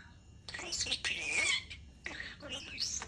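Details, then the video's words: European starling talking: two bursts of rapid, scratchy, speech-like chatter mixed with thin squeaky whistles, separated by a brief pause. "European starling talking bird"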